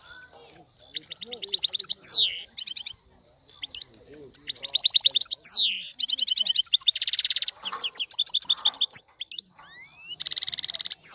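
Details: Long burst of excited male European goldfinch song aimed at arousing a female to mate: repeated rapid twittering phrases, harsh buzzy trills and upward-slurred whistles, broken by short silences.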